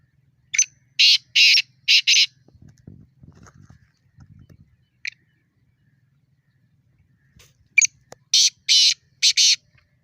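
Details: Wild black francolin giving its fighting challenge call: two bursts of harsh rasping syllables, a short opening note then three or four broad grating notes, separated by several seconds of quiet with faint rustling and handling noises.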